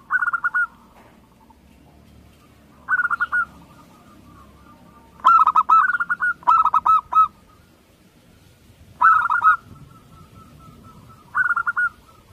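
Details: Local Indonesian Zebra dove repeating its cooing song through a quiet stretch. Brief rolling bursts alternate with a longer phrase of several stuttered, slightly rising notes, each followed by a faint trailing hum.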